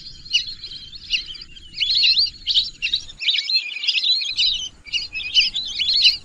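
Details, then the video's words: Shrill, twittering whistles from several lesser whistling ducks come in clustered bursts, with brief lulls between busy, overlapping phrases. "whistling dack call/sound /বালি হাসের ডাক/শরালী পাখির ডাক"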